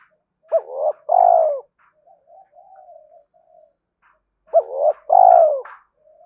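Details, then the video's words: Spotted dove cooing, used to stimulate decoy birds and train lure birds: two phrases about four seconds apart, each a short arched note then a longer, rolling, slightly falling coo, with soft murmured coos in between. "Tiếng chim cu gáy kích bổi nhanh nổi và tập mồi hiệu quả"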